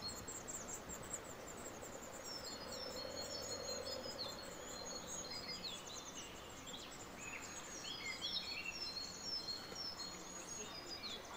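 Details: Black redstart chicks begging in a nest under the veranda canopy of a country cottage, about 1.5 m up, while their mother feeds them: many thin, high, overlapping squeaky notes in quick bursts over steady background hiss.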